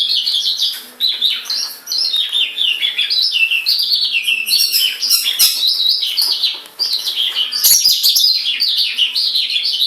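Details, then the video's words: Tame white-rumped shama out of its cage in full song: long rich stream of varied whistles, rapid trills and sliding notes, with brief breaks near two and seven seconds. "Suara burung sanma gacor diluar sangkar"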